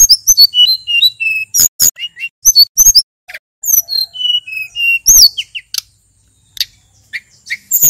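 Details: Energetic song of a male sulingan, a local Mount Merapi bird used as a lure: clusters of short falling whistles, loud clicks and a few pure steady notes, broken by short silences.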